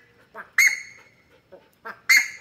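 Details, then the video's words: Buff-necked Ibis chick at a Brazilian farm in Mato Grosso: two loud, metallic, honking calls about one and a half seconds apart, each preceded by softer grunting notes, while a person talks to the bird. "CURICACA EM CANTORIA"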